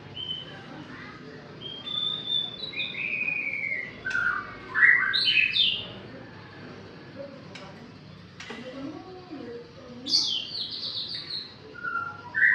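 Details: Young bird giving varied chirps and short warbled notes at irregular intervals, some higher and some lower. Steady background hiss and occasional sharp clicks are also heard.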